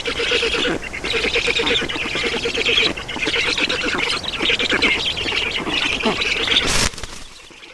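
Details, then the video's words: Black storks at a nest in Estonia during feeding, 7 June 2019 at 16:44. Continuous harsh, raspy, pulsing calls run unbroken for about seven seconds, then end sharply after a loud click, leaving quiet background. "Estonian Black Storks - Feeding"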